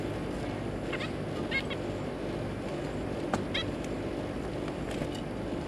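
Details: Family of zebra finches, two parents and three juveniles, kept birds, 3 July 2022: small groups of brief nasal call notes near the start and middle, separated by quieter gaps, over a droning background.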